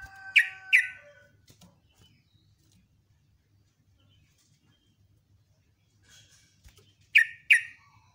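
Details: Sooty-headed bulbul in the morning, in the ropel ngecruk nembak style: a double burst of sharp descending notes, a long quiet pause with faint ticks, then another matching pair.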